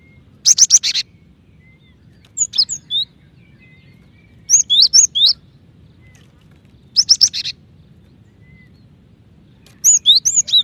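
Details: Female cinereous tit calling for the male, a call used to speed up other tits' singing; five bursts of high, rapid chirps alternate between dense buzzy clusters and crisp whistled runs, separated by short silences.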